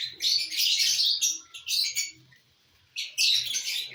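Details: Lovebirds feeding on corn let out long, loud, grating chirping bursts, then a short silence and another harsh volley.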